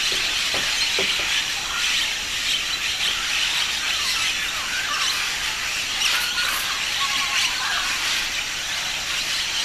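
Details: Dense chorus of many Blue-headed Parrots at the Blanquillo macaw lick in Peru's Manu area: harsh, high squawks and screeches overlapping continuously into a steady, hissing wall of sound.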